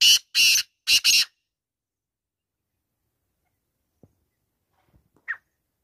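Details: Kala teetar, the black francolin, ending a call with three loud rasping, buzzy notes in quick succession, then a long quiet stretch with one faint short chirp near the end.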